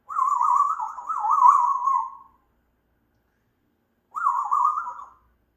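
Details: An African grey parrot, a pet, produces a long wobbling whistle of about two seconds, then after a silent pause a shorter phrase with the same rapid up-and-down wavering.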